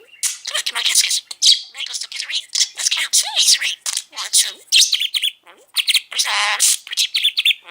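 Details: Pet male budgerigar, nearly six years old, chattering nonstop with another budgie nearby: a dense, continuous stream of scratchy warbles, clicks and mimicked speech-like syllables with no pauses.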